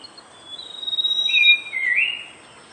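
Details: Horsfield's babbler singing a clear whistled phrase: a long, high, steady note slides into a lower tone that dips and then swings back upward, heard against faint background hiss.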